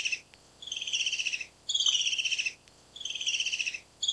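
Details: A black-capped kingfisher (Halcyon pileata) calls with loud, ringing, rapid chattering trills that slide slightly downward, each about a second long and repeated every second or so.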